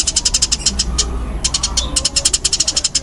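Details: Loud, rapid chirping from a fighting-type Eurasian tree sparrow (burung gereja tarung), packed tight in quick bursts of high, clipped notes broken by two short gaps, over a low steady hum.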